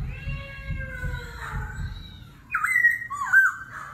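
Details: Laughingthrush in competitive kéo thuốc lào forest-voice song with continual voice switching: soft drawn-out tones over background rumble, then two loud sharp whistled slurs at the end.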